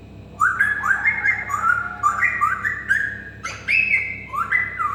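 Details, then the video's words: African grey parrot kept as a pet whistling: a quick run of clear, rising two-note whistles repeated about twice a second, some slurred upward, over a low background hum. "كاسكو يقلد صوت القطة و يصفر- Parrot making cat sounds"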